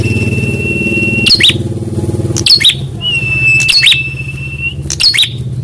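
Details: Prinia answering in a rival-response test: four scratchy chattering bursts about every 1.3 seconds, alternating with level high whistles, over a steady engine-like drone.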